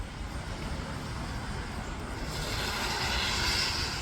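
Steady low rumbling engine and wind noise fills the recording throughout, growing brighter and louder toward the end, with no animal voice heard.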